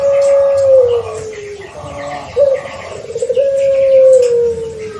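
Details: Pelung Barbary dove aged six months, paired young to stimulate its calling, ends one long sinking coo, then starts another with a quick rising note and a long, even, gradually falling hum.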